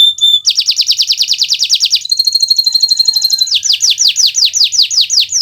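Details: Kenari Nusantara canary in gacor song, a teaching recording for other songbirds: a brief whistle, then a fast buzzy trill, a thinner high rattle, and finally slower loud downward-slurred notes about three per second.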